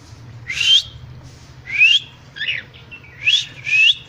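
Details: Cockatiel giving rising whistled calls spaced about a second apart, five notes in all, each sweeping upward, with a faint low hum behind.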